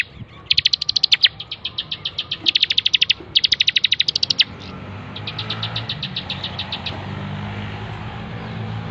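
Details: Bar-winged prinia, locally ciblek, for a bird-training master recording: several loud rapid trains of high clipped notes, followed by a softer, more distant run of similar notes over rising low rumble.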